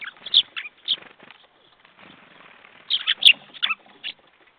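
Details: Jackdaws recorded on 21 February 2014 at 10:50, giving short sharp clipped calls in irregular bursts, several overlapping, with a quiet gap mid-clip and a busy low background.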